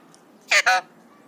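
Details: Happy, excited pet Alexandrine parakeet, three years old, imitating screams and coughs, giving a quick double squawk of two harsh, raspy bursts with a tiny break between them.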